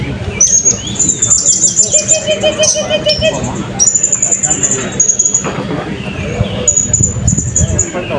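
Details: Blue-crowned hanging parrot at the 2024 Balingian open songbird competition: sustained high shrill trills in repeated phrases, with a lower whistled strand in between, over a noisy crowd.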